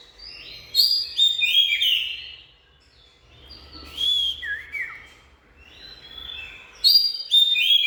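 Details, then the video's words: Oriental magpie-robin giving rich whistled phrases with trills and quick note clusters, falling silent for a couple of seconds, then returning with a brief downslurred whistle and a fresh bright burst. "Bird Oriental Magpie-Robin| Birdsong"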